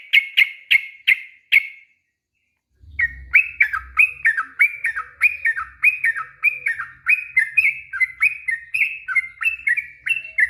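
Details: Yellow-vented bulbul singing long ropel-style song, used as a lure to get silent or stressed bulbuls to reply: a few sharp chips, a short gap, then a long run of bubbly, rising and falling warbled phrases, with a faint low rumble.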